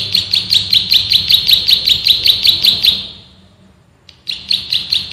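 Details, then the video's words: Male bar-winged prinia, recorded as master song for training birds, delivering a loud, fast ngebren burst of around fourteen high, clipped chips, then a brief silence before the rapid notes resume. "MASTERAN BURUNG PRENJAK SAWAH GACOR, NGEBREN TEMBAKAN RAPAT"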